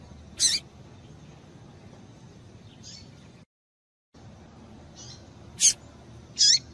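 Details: Female double-collared seedeater calling to excite the male. Scattered short, high chips, a few faint ones between, with a brief cut to silence midway, then two louder sharp notes close together near the end.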